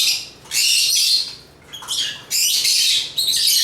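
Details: African lovebirds (Agapornis) chattering in loud, harsh, high-pitched bursts of shrill chirps and squawks, each about a second long, with brief quieter gaps between.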